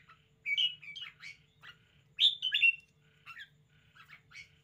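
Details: Caged red-whiskered bulbul in an excited display, uttering short bright phrases of rising and falling whistled chirps in two louder bursts, with softer scattered notes between and quiet pauses.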